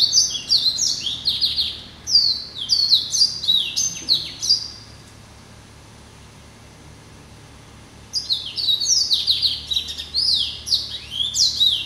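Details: Pet hybrid finch crossed from Yellow-eyed canary and Timbrado delivers two long bouts of rapid, high, chattering warbles with downslurred whistles, separated by about four seconds of silence.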